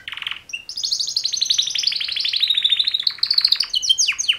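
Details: Two male canaries sing for mating: a short low rattle, then a long rapid-pulse roll gliding slightly downward, ending in sharp downward-swept whistled notes.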